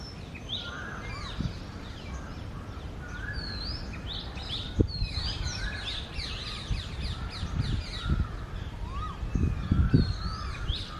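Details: Oriental magpie-robin (Copsychus saularis), male and female singing in early morning of the summer breeding season: varied, clear whistled phrases, rising and falling in quick succession, over a steady low rumble with occasional thumps.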